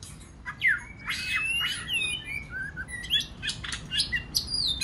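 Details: White-rumped shama singing in multiple voices to stimulate other shamas; dense, fast medley of sweeping whistles, sharp ticks and high warbles continuing without break, with faint background hum.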